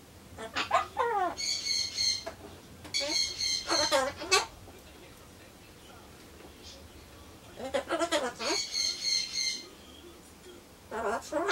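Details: A pet Ducorps's cockatoo (Solomons corella) talks to itself while waiting for pumpkin, chattering mimicked phrases like "cute", "hi", "hello", "good evening", "cold", "cool" and "bathe?" plus rooster and bush-warbler imitations, with harsh squawks and buzzy high notes over room hum.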